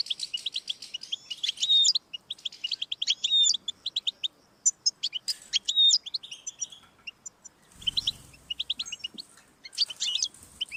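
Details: European goldfinch singing to stimulate a pet goldfinch: long fast twittering song of tinkling chirps, trills and short whistles, with a brief low thump partway through.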